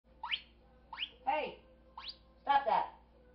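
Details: Pet parrot indoors whistling while in trouble with the household cat: short sharp upslurred whistles and squawky notes in a quick irregular run, mixed with a low steady hum.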